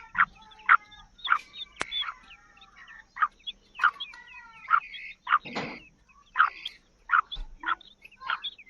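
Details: Black francolin female calling to attract and excite males: short, bright, harmonic notes given singly or in pairs at irregular intervals, with a brief sharp click and a burst of rougher noise in between.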